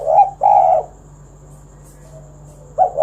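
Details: Spotted dove, kuk 1 song used to get other doves singing: one short phrase of a brief coo and a long husky coo, a quiet pause, then the start of the next phrase, with a faint hum behind.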